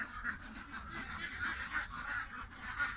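A flock of ducks gives a steady stream of overlapping nasal, honking calls, many birds at once with no pause across three seconds.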